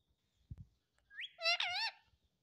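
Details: Indian ringneck parrot indoors mimicking "mummy papa": after a soft tap, a clear, rising two-part harmonic phrase with wavering tones, a word-like imitation spoken in a parrot voice.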